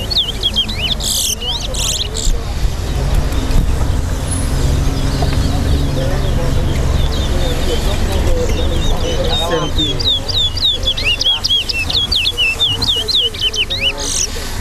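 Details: Competition towa towa (chestnut-bellied seed finch) at a bird race in Lusignan, Guyana: short bursts of quick looping whistles at the start and a longer rapid whistled run near the end, with loud crowd talk and traffic between.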